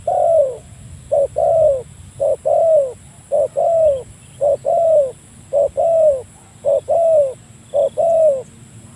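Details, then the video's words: Spotted dove calling a rival as a trapping lure: rhythmic low coos, each pair a short note and a longer sliding note, repeated steadily about once a second through nine seconds. "burung tekukur memanggil lawan, mikat burung tekukur"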